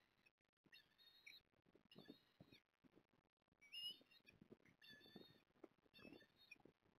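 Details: At Port Lincoln on 14 September 2022, an osprey calls while the male delivers a fish to the female: faint series of high, slightly squealing whistled notes in repeated bursts over low rustling and knocking.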